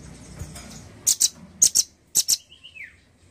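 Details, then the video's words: Male nuthatch giving sharp high chips in pairs, three quick pairs within about a second and a half, then a thin whistled note gliding downward. Faint low room hum underneath. "Suara burung rambatan jantan gacor"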